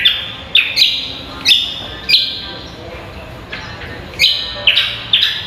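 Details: Cucak kombo singing eagerly, recorded as contest training material: loud, high whistled notes come in bursts with gaps of about a second between them, over a low room hum.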